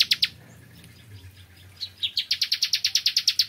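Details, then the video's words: Bar-winged prinia in the morning, giving a few sharp notes, then a rapid, even series of about fifteen clipped chirps, like a dry trill. "Kicauan Ciblek Kristal Dipagi Hari"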